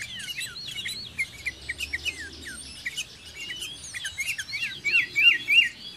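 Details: Sooty-headed bulbul (kutilang) singing near a dwelling: rapid, overlapping chains of bright slurred whistles, hooked up-and-down notes growing louder toward the end, with a faint low rumble behind.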